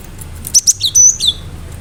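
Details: Gelatik batu, or cinereous tit, in lively song: two sharp high chips followed by a thin whistled note and falling slurred whistles, all packed into under a second against a quiet low hum.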